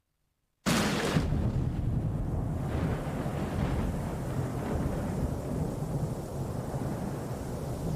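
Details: Outdoors near a billabong in Kakadu, Australia, a sudden start gives way to steady low rumbling wind buffeting the microphone, with no animal calls heard.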